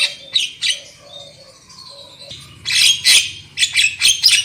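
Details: Lure recording of black-winged myna song meant to get birds singing loudly: a few harsh bursts, low soft whistles in a quiet stretch, then dense scratchy chattering phrases.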